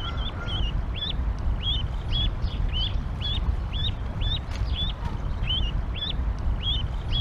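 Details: Canada goose goslings at a nest in Decorah, Iowa, on April 28, 2022, in rain and 37°F around the time of their nest jump, give thin, high peeps rising and falling about twice a second over a low wind rumble.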